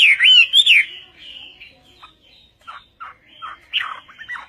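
Chinese hwamei singing loud, rich whistled phrases that swoop up and down, then a run of varied shorter notes and slurs.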